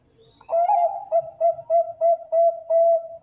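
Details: Bangkok-strain zebra dove singing steadily as a lure for other zebra doves. Rapid mellow coos open with a slightly higher note, then about eight short rounded notes follow at a quick even beat. No other sounds.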